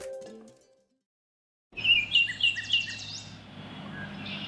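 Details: Baltimore Oriole song recorded in nature in North America: four clear, flute-like whistled notes in quick succession, then a softer trailing phrase over a steady background hiss. A brief bit of speech comes first.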